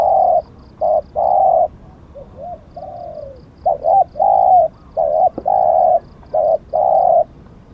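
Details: Thai decoy Spotted dove cooing steadily: a run of loud, throaty, even coos in quick clusters, with one softer falling phrase in the middle. A faint high ticking sounds at intervals behind it.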